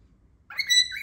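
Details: Pet cockatiel making a loud call, described by its owner as if trying to say a word: a sharp rising onset into a steady, slightly buzzy whistled note lasting about half a second, then a second rising note.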